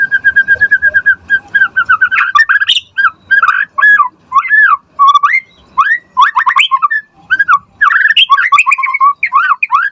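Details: Hard-driving white-rumped shama song used to goad other shamas into responding: a rapid steady rattle at the start, then a continuous stream of looping whistles, chips and buzzy notes with barely a pause.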